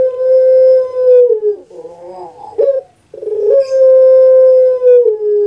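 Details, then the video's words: Puter pelung dove, a kept bird, producing a long even hoot that dips, a warbling gurgle and a clipped note, then another sustained hoot held for about two seconds. "KURANG AJAR BENER SUARANYA BIKIN PUTER PELUNG LAIN SAKIT HATI"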